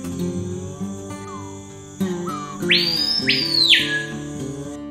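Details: Screaming Piha, an Amazon bird also found in Atlantic Forest, gives its loud ringing territorial song, audible over half a kilometre away: two sharply rising sweeps then a long falling note, over soft guitar music.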